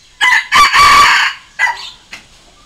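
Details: Loud challenge crow of a red junglefowl decoy used for luring wild junglefowl: short note, long rasping stretch, then two fading closing notes, with a quiet background.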